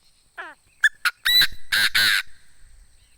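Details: Tame decoy Chinese francolin calling: a soft descending harmonic note, two sharp short notes, then three loud, harsh, drawn-out grating notes in a quick phrase, with faint background hum.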